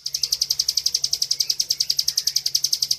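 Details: Master training recording of a caged bar-winged prinia in gacor ngebren song: a tight, metronomic burst of high, piercing chips, roughly nine per second, over a low steady hum.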